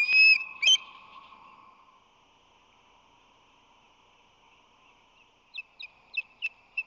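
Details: San Francisco Bay osprey nest in March 2020, male bringing fish: two sharp high whistles open, followed by near silence, then five faint short chirps spaced roughly half a second apart near the close.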